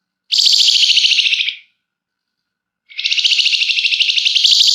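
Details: Flamboyan singing densely and at length with emotional scratchy notes, used as a lure to get birds singing. Two long, harsh, fast-stuttering buzzy trills, the second running on past a second and a half.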